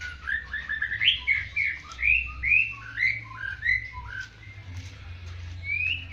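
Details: White-rumped shama song in a fighting style like the bar-winged prinia: rapid sequence of short rising whistled slurs, about two per second, varied in pitch, over constant low background hum.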